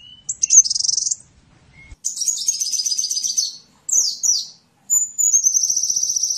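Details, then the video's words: Sunbird song meant for training songbirds: separated bursts of buzzy, very high trills, each lasting one to two seconds, broken by two quick descending notes and short silences. "Masteran burung Kolibri"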